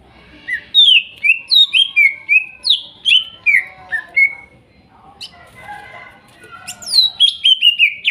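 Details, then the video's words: Greater green leafbird, a wild-sourced bird from the Kuningan forest, singing in the trotol and nopeng styles, used as therapy for a leafbird that stopped singing. Loud, clear descending whistled slurs repeat rapidly for four seconds, then a softer warbled passage and a second high burst. "TERAPI CUCAK IJO MACET BUNYI BAHAN HUTAN KUNINGAN TROTOL DAN NOPENG"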